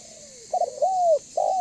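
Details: Lure call of a spotted dove, banggo type, meant to make other doves answer and come close: the tail of one coo, then a stuttered rise, a long sweeping drooping coo, and the start of another.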